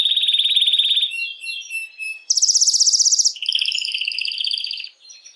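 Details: Canary singing to stimulate females for mating, with a sustained rolling trill, soft twittering notes, a very high rapid trill, then a lower double-toned rolling trill fading out.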